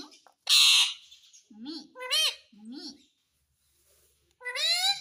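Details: Ringneck parrot known for saying mummy and papa: a loud harsh screech burst, then two wavering harmonic speech-like phrases with low syllables, silence, and a final bright rising harmonic phrase.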